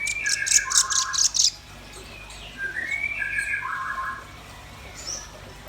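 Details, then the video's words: Energetic singing from a red-billed nuthatch and a white-rumped shama (rambatan paruh merah, murai batu): a burst of loud, very high staccato notes, then mid-pitched whistled phrases that slide upward and step back down. "Suara kicau burung rambatan paruh merah dan murai batu gacor"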